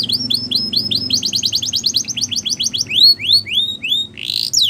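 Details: Belgian canary song meant for training young birds, moving through phrases: slurred falling notes, then a fast buzzy trill, then slower rising sweeping whistles and a final rushing burst.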